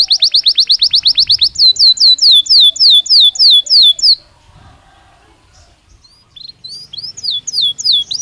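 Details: Belgian canary in natural song for training birds to sing; a quick high trill shifts to slower, looping down-slurred notes, the singer pauses about two seconds, then softer sweeping phrases return.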